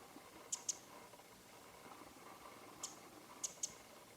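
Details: A winter wren calls on a leafless branch on a late-January 2013 morning in Japan, giving hard, dry ticking call notes, mostly in quick pairs, spaced a few seconds apart, over a faint steady hiss.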